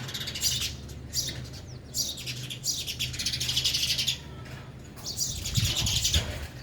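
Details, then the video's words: Sparrows at a sparrow house feeder, eating and flying, chirp in busy, overlapping bursts of high, rapid notes, with a low hum and rustling running underneath throughout. "sparrow sound effect | ચકલી ઘર | chaklino avaj | sparrow eating"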